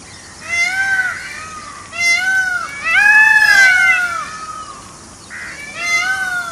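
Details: A forest-wandering peacock utters repeated plaintive, meow-like cries, rich in overtones, rising and dipping, roughly one every one to two seconds, over a soft background hiss.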